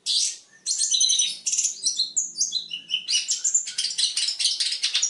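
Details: Long-tailed shrike singing a rich mimicry-filled song used for training other birds. A harsh opening burst is followed by a fast jumble of high chirps, trills and short whistled notes, then dense scratchy chatter.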